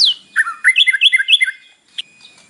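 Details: Morning song of a captive white-rumped shama, used to stir another bird into singing: a quick series of five or six bright whistled notes, then a short pause and a single high chip.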